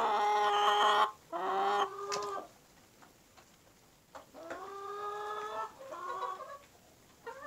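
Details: Black-skinned, black-eyed rooster of a special Indonesian breed with his flock, giving loud harmonic calls, two long notes then a quiet spell, followed by several more drawn-out calls and short clucks toward the end.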